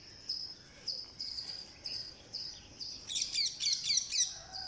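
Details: Green parakeet being fed on day 49, giving high thin chirps about four times a second that swell into a rapid, louder burst of squeaky begging notes near the end, over a steady high hiss.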